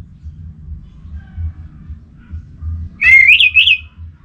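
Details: Orange-headed thrush (anis merah) singing as a lure to provoke other thrushes into full song; after three quiet seconds of low hum, one bright whistled phrase of rising and undulating notes.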